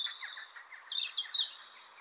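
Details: European Robin song, twittery phrases faster and higher than a blackbird's, packed with many notes; here a quick run of high thin whistles and trills over a faint lower warble from another bird.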